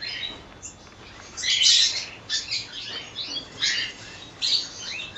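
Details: Group of cockatiels in a colony: quiet start, then a loud burst of harsh chattering, followed by spaced clusters of rising whistled calls roughly every second.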